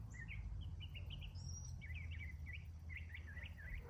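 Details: Northern mockingbird singing several of its songs in the morning: a quick series of short chirped and slurred notes around the mid-high range, varied phrases repeated in quick succession, with a thin high whistle midway over steady low background rumble.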